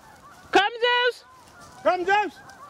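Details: Canada geese from a flock of thousands along the Salmon River near Truro, March 22, 2014: two loud, nasal, two-part honks about a second and a half apart, each with a sharp onset and a sustained harmonic tone, over a faint background of more geese.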